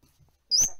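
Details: Captive talking African grey parrot, repeatedly saying "wait" to itself while waiting, gives one sharp, high whistle that rises slightly and stops abruptly, following a brief spoken word.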